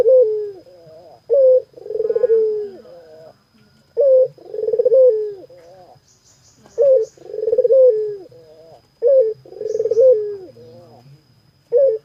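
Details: Puter dove cooing loudly and steadily: a short clipped note followed by a long, throaty, rolling coo that falls at the end, the phrase repeating about every three seconds in a quiet setting with a faint high hum.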